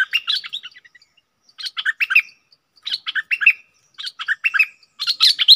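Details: Double song style from a cream-vented bulbul, June 2021: short bursts of bright, jumbled chattering notes, each burst about half a second long, separated by brief pauses.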